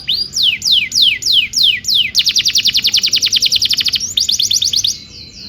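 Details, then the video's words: Canary tutor song meant for training juvenile canaries: slow repeated downward-sweeping whistles, then a quick high staccato trill and a brief faster roll. "PANCINGAN KENARI GACOR DURASI PANJANG UNTUK MASTERAN KENARI PAUD BELAJAR BUNYI DAN GACOR"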